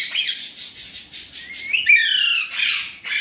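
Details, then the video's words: Indian ringneck parrot talking in Urdu/Hindi: a continuous rasping phrase running into a rising whistled slide, then falling strained tones and a brief break before a final harsh note. "Indian ringneck parrot amazing talking parrot Mitthu || alexandrine parrot voice talking Urdu/Hindi"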